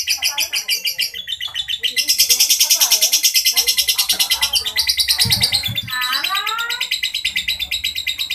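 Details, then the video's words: Lovebird in a long, harsh ngekek: a nonstop burst of buzzy, shrill pulses, about three a second. It intensifies early on, then continues with some rising and falling notes under the rapid chatter. "Lovebird Ngekek kasar panjang"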